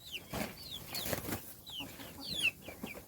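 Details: Chicks being fed, with thin, high chirps that slide downward, scattered among brief broadband scratching or pecking noises.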